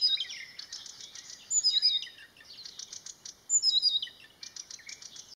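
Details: Marsh warbler singing by a grove at Landsjön, 16 June 2020: a fast, high, varied chatter of sharp whistles, buzzy trills and rapid ticking notes, with louder bursts about every two seconds.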